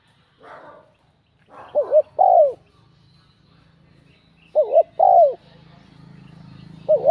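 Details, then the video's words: Spotted dove with a bell-toned voice cooing to provoke rival males; two-part phrases of a quick wavering double note then a longer falling coo, repeated about every three seconds over a low steady hum. "Giọng chuông thúc gù kích bổi, chim cu gáy"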